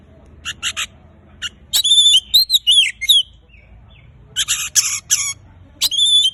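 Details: Oriental magpie-robin song for getting quiet birds to start singing: scattered harsh chips, then ringing descending and rising whistles, more rasping bursts, and a final clear whistle.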